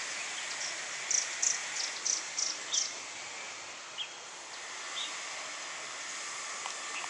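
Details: A grey wagtail, recorded 6 January 2015, gives a quick run of five or six sharp, high, metallic tzit notes, then falls silent over a steady rushing hiss.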